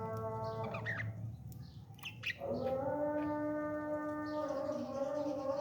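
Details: Parrot chick being fed, making a sustained nasal whining tone that wavers slightly for several seconds, after a few brief scratchy notes, over a low background rumble.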